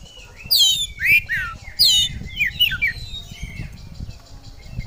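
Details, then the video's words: Kept oriental magpie-robin in energetic song: two loud steep downslurred whistles about a second apart, then quick chattering warbled notes fading out, with a rumbling low background noise throughout. "Kacer Gacor Bongkar Isian"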